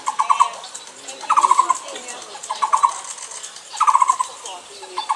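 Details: Taiwan barbet giving repeated low trilled calls, quick rattling bursts about every second, four clear phrases in five seconds, over soft background chatter of other small birds.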